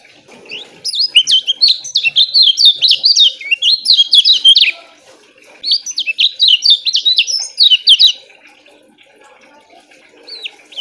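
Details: Lemon-bellied White-eye (kecial kuning) sings two long bursts of rapid, high, twittering warbles, each a few seconds long, with a short pause between them. The song is dense but short, loud and steady, and is used as a tutor recording for birds that are reluctant to sing.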